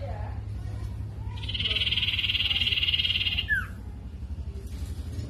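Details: Sirtu song played as a lure to draw other sirtu into answering: a long, even, buzzy high trill of about two seconds, ending in a quick down-slurred note, over a steady low hum.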